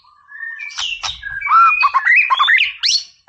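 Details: Energetic white-rumped shama song meant to provoke an opponent: a fast run of varied whistles, slurred rising notes and sharp clicks packed into a few seconds, with a brief loud final note.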